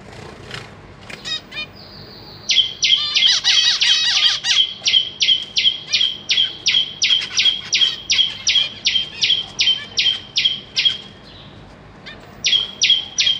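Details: Captive zebra finch young, newly fledged with parents busy feeding them, give rapid, repeated high buzzy begging calls, several each second.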